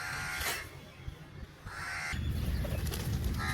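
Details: Crow calling for food: two or three short harsh caws separated by pauses, with heavy low-pitched rumbling background noise in the second half.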